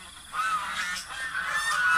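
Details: Adult geese with their goslings honking loudly: drawn-out, nasal, slightly rising honks close by, forming an almost continuous run of calls.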